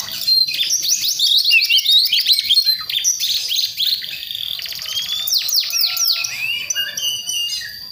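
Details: Young West Java forest Priangan white-rumped shama practising its song: rapid rattling chirps and scratchy notes, then a burst of loud downward-sweeping whistles, with steady chattering throughout.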